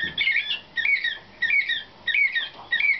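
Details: Slavujar canary, nightingale-style song, a 2013 young bird selected for competition training. It repeats a bright, rising-then-falling whistled phrase about every 0.6 seconds, clear and crisp.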